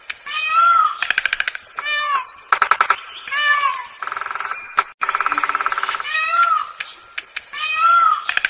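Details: Indian peafowl calling: repeated drawn-out wailing cries, bent upward then down, broken up by quick clattering pulse series and a sustained buzzy honk near the middle. The calls recur about every second or two.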